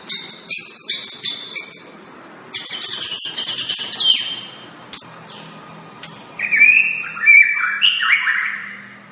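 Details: A white-rumped shama tutor song opens with a rapid series of sharp clicking chips. A fast chattering trill follows, then varied slurred whistles that rise and fall in short phrases, over a faint low hum.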